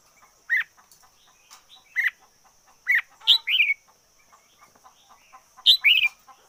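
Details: Red-whiskered bulbul kept as a decoy bird: loud rising-falling whistled notes repeated every second or so, then two-part warbled phrases, against a constant high hiss and faint clicks.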